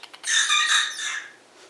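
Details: A baby rooster practicing his crow in the background gives a squeaky, cracking crow of about one second, strained and high-pitched and unlike a full adult crow, while other birds chatter.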